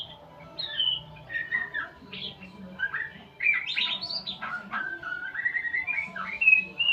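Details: White-rumped shama learning sounds, mixing clear whistled slurs, squeaky chirps and one long level whistle near the end, the phrases getting louder and denser in the second half.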